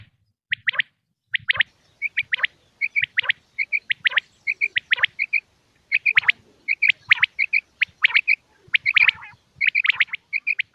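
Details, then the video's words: Male and female common quail calls, used by hunters in Pakistan to draw in quail: long, busy series of ringing triple notes, tightly packed and overlapping toward the end. "quail sound effect video"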